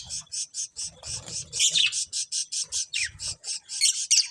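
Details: Pet budgerigars chirp in rapid, evenly spaced high bursts about four per second, with occasional sweeping whistles and soft low rustling.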